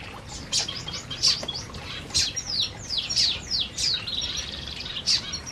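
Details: Flock of canaries feeding in an aviary, giving dense high chirps with sharp downward-sweeping notes that come in irregular bursts over a soft hiss.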